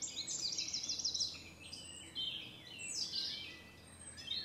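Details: Cetti's warbler giving its territorial and courtship display song at Newport Wetlands Reserve: a sudden loud burst of rapid, repeated high notes, a pause, then a second shrill burst near the end, over steady background hiss.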